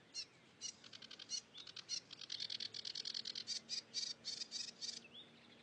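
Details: Cigrok singing energetically in its natural surroundings: irregular chattering notes that speed into a steady run of rapid, harsh chirps, with a short slurred whistle at the end.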